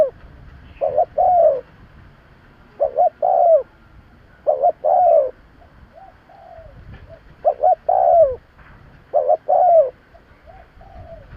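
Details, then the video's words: Spotted dove used as a lure bird to attract others, giving repeated three-part coos in the 500–800 range: two short notes then a longer falling note, phrases recurring every two seconds or so with a faint soft note between. "Tiếng chim cu gáy kèm kích bổi nhanh nổi - Suara yang menarik suara Tekukur Enak Didengar Buat Pikat"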